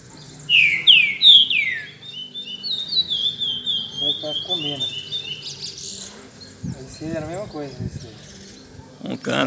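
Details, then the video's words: A captive Green-winged saltator (trinca-ferro), kept in a café and used to its noise, opens with a few loud, slurred whistles, then a quick run of falling notes while a man talks over the rest. "Puxada de Trinca Ferro e Curió!!! Esquenta de Fibra e Canto!!!"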